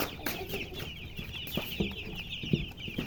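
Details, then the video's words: Baby chicks chirping: a dense chorus of high, short peeping notes overlapping continuously, with a few low knocks and thumps underneath. "Baby "Chicks Chirping" Sound"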